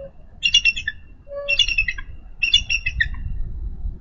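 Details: At a Minnesota nest cam on 3 May 2013, a bald eagle female calling her mate to take over nest duty; three quick bursts of squeaky, twittering high chatter, separated by pauses, above faint low noise.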